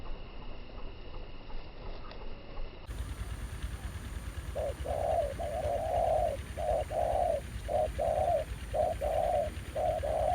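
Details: A fairly aggressive new wild spotted dove answers a ground decoy at an old trapping site revisited after more than a year. After a quiet start, low mellow coos begin near the midpoint and repeat steadily in paired phrases about once a second.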